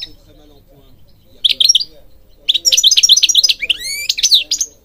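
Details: Singing European goldfinch for training birds: a brief burst of chirps, then a long, lively twittering phrase mixing quick tinkling notes with a few rising, drawn-out whistles.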